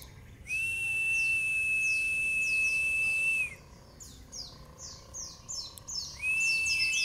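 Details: White-eye nembak-style training song: a long steady whistle lasting nearly three seconds, a spell of soft falling chirps, then the level whistle begins again.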